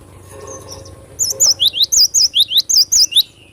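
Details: Cinereous tit in full vigorous song: a steady, rapid series of about a dozen high, sharp notes alternating between two pitches, like a bright repeated see-chu, lasting two seconds.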